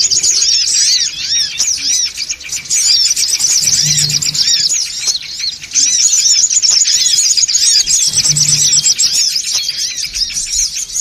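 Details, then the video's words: Noisy songon bird lure call, a thick stream of piercing chirps and curved squeaky notes from many birds at once, steady and unbroken, with a soft low drone twice. "SUARA PIKAT SONGON OTONG (RIBUT)"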